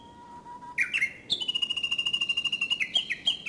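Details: Japanese bush warbler singing in early summer: a long, level low whistle, then sharp rising notes, followed by a rapid, even series of bright, clipped high notes repeated about eight times per second, ending in a few slurred phrases.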